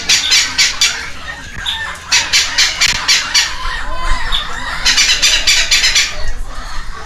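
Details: Begging from two young red-lored amazon chicks during a feeding frenzy at a Costa Rican rescue ranch, Heredia Province, May 2022: runs of rapid rasping squawks, pausing briefly, then resuming in quick rhythmic bursts.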